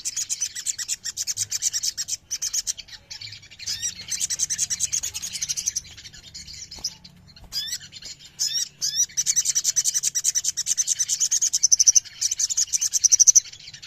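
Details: A ruby-throated myzornis, called sogon, sings high, buzzy twittering phrases several seconds long, separated by pauses with quick upslurred chirps, ending in a steady, rapidly repeated trill.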